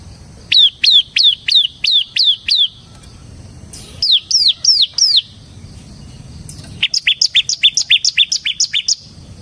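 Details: Ciblek semi (bar-winged prinia) in continuous song: a string of clear, high, down-slurred chirps, a short group of similar notes, then a faster, denser series of high chirps, over quiet background.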